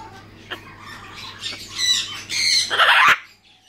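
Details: A female and a male blue-and-yellow macaw give harsh, rasping squawks that build over a few seconds and end in a loud, raw screech, with a low steady hum behind.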